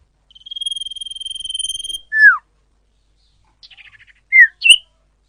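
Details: Common iora used as a lure to attract wild birds: a long steady trilled whistle of rapid notes, then a sharp descending slur, a short soft buzzy rattle, and two quick downslurred chirps, with no background noise.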